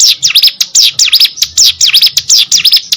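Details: Loud, close captive hill prinia giving rapid, scratchy high chirps, each note swooping down and up, about three per second in a lively vigorous burst.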